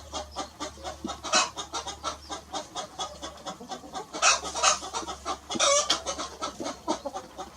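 Hens cluck in short, dry bursts, several per second, with a few birds calling over one another above a low steady hum.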